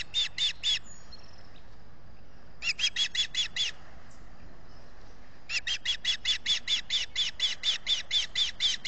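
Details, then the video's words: Osprey at a Salt Point nest in the US Finger Lakes, 18 June 2021, calling for fish on a solar-powered nest camera; three bursts of shrill repeated chirps, four, then six, then a long run of about fifteen rapid notes. "calling for fish"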